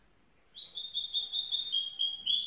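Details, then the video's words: Young grey-blue goldfinch mule (hybrid) singing: after a brief silence, high liquid twittering with trilled, buzzy notes builds steadily in loudness over two seconds. "Jeune mulet chardonneret gris bleu"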